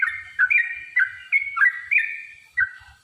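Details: Yellow-vented bulbul fighting song, used to goad other birds into answering, heard as short liquid, gurgling phrases of two or three notes separated by brief pauses.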